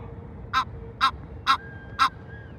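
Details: A female Egyptian goose (Alopochen aegyptiaca) calls loudly at night at McGovern Lake, Hermann Park, Houston, Texas, giving four harsh, raspy honks about half a second apart over a faint hum; a nearby male moves away from the noise.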